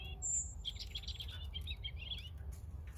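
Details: European robin song: a high, thin sustained whistle, then a fast jumble of warbled, twittering notes fading out, over a faint low rumble.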